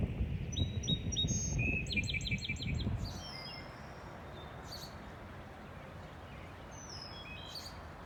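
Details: Wood thrush song on a cold May morning around 8:30, 14 May 2020, at Aullwood: clear high fluted notes, then a rapid burst of chord-like trilled phrases; other birds, including a field sparrow, chip faintly; low rumble early.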